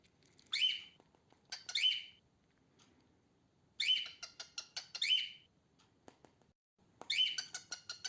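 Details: Female cockatiel, a pet bird kept indoors, giving short harsh chirped calls with a bright tone, singly or in pairs, in bursts separated by pauses of about one to two seconds; faint clicks and tapping between calls.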